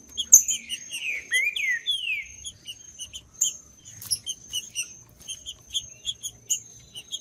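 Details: Green-winged saltator in the woods, played to warm up cold birds: three or four bold downward-sliding whistles early on, then a long stretch of repeated short high chips over a thin continuous whine.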